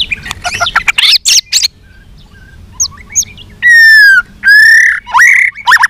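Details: White-rumped shama singing a fighting song in many voices with tail-flicking: a jumble of rapid chirps and warbles, a quiet gap, then long loud pure whistles and a twisting phrase.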